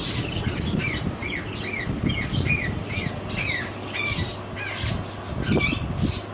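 A sun conure gives a quick run of harsh, chirpy squawks over a low indoor rumble.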